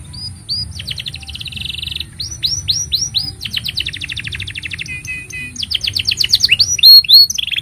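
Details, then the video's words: Canary in long, vigorous song intended as a master for young canaries and to coax silent birds: sweeping whistles, a buzzy trill, a fast chattering run of clipped notes and rapid rattles building toward the end. "Kenari Gacor Panjang Ini Bagus Untuk Masteran Kenari Paud Dan Pancingan Kenari Bisu"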